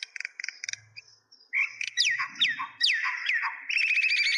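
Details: A myna in Kulaura, Moulvibazar, Sylhet, Bangladesh, chatters with short harsh notes, quick falling whistles about once a second, and a final burst of rapid buzzy chirps.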